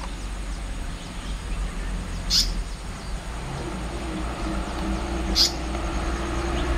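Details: Two brief, harsh, rasping notes of an immature, short-tailed Asian paradise flycatcher near water, about three seconds apart, over a steady low rumble of traffic-like background noise.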